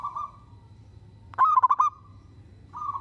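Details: Local zebra dove singing energetically, a song meant to draw replies from other zebra doves: a level cooing tone runs into a fast stutter of five clipped notes, then the coo resumes; low steady rumble underneath.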